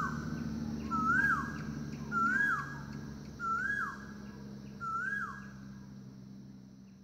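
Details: Asian koel recorded in the morning, calling loudly through the forest: four loud, clear, upslurred whistles about every one and a quarter seconds, over a low, steady background rumble.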